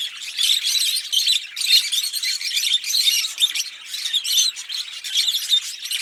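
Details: Fischer's lovebird pair, green birds, in lively song: rapid clusters of sharp, squeaky chirps and rasping twitters repeated in short bursts with no other sounds.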